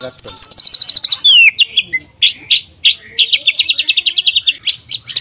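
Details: White-rumped shama singing to provoke other shamas: quick descending trill sliding into a falling whistle, several loud upswept notes, then a steady rapid trill and final sharp calls.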